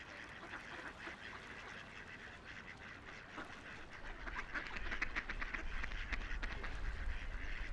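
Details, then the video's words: Ducks on a quiet river, floating, splashing and playing, give a dense chorus of rapid overlapping nasal quacks, about four a second, with a low rumble of flowing water rising in the second half. "Relaxing Ducks Quacking by the River"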